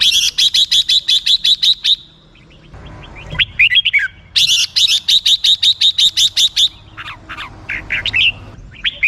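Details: Red-whiskered bulbul giving its rapid 'rik' call: a burst of about a dozen sharp, even chips near a high pitch, a short pause with a few slurred notes, then a second long run of chips and some downslurred whistles.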